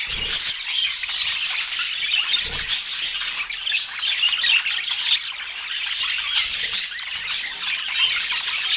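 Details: Budgerigars chirping during feeding, a busy layered chorus of rapid high twitters and scratchy notes, with a few soft low knocks underneath.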